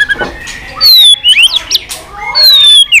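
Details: White-rumped shama singing a competitive fighting song with varied calls: loud, clear whistled notes that slide downward, mixed with sharp upswept chips and short twitters. The song is very loud and harsh at its peaks.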